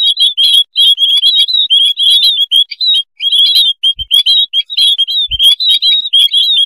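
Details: Noisy colony of white-headed munias used to lure birds in: a continuous chatter of high, sharp chirps and slurred notes from many individuals, bursts crowding together, with two brief low knocks.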